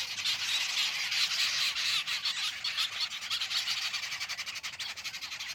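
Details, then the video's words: Jungle babbler chattering continuously, a loud, harsh, grating stream of rapid scratchy notes that pulses steadily throughout without a break. "Jungle Babbler Call"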